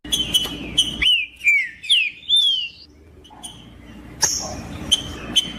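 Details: Caged green-winged saltator singing to warm up a cold bird before tournaments: four loud slurred whistled phrases in quick sequence, then a pause broken by sharp ticks and a high clipped note.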